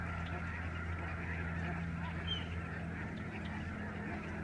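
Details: Lesser Snow Geese in a very large flock over a Canadian bird sanctuary in November; a busy babble of overlapping honks and yelps, accompanied by a constant low droning hum.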